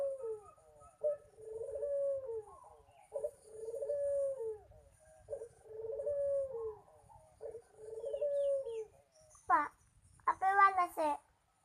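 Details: Young local Barbary dove practising its song: a steady series of low, rolling coo phrases about every two seconds, followed by a couple of sharp, louder calls at the end.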